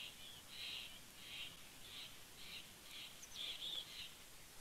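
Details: Mountain Chickadee visiting a bald eagle nest at Big Bear Lake, California, on 18 September 2019: a run of buzzy, mid-high notes, about one every half second, against a soft background hiss.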